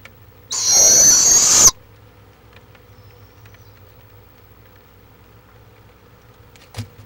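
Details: Barred owl at a Florida nest, filmed live on March 23, 2015: a single harsh, hissing screech lasting just over a second, high and raspy, followed by near silence with a low steady hum and a faint click at the end.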